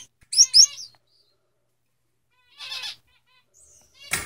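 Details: Male Gouldian finches: a pair of bright, high chirps with buzzy harmonic tails near the start, then a fainter rasping buzz around two and a half seconds, and a sharp broadband note at the end.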